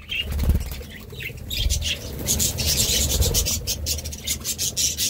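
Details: Budgerigar chirping, sparse at first and then building into a steady stream of high scratchy notes over a low background rumble.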